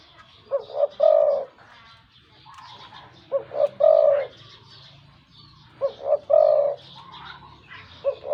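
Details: Decoy spotted dove, wild-caught, with a big voice. Four evenly spaced phrases of quick paired notes and a long throaty coo, with soft chirps of other birds in the background.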